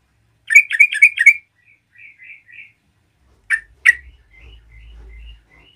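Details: Yellow-vented bulbul singing strongly to provoke other bulbuls: a fast burst of four bubbling notes, soft trailing warbles, then two sharp notes and further quiet chatter, with a low hum beneath.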